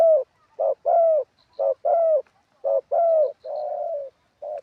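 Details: Wild-style cooing of a spotted dove used as a ground decoy: repeated pairs of low hoots, a quick note and a longer downward-curving one, close and clear, ending with a quieter flatter coo from another dove.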